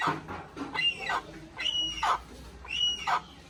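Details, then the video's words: Little hornbill giving harsh paired notes, each a high nasal note followed by a lower rasping one, repeated about once a second against faint background noise. "Little Hornbill with natural sound"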